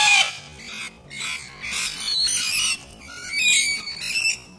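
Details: On a rainy day, a cranky corella kicks another corella, amid harsh, raspy screeches in three or four broad bursts, each about a second long, with short pauses between.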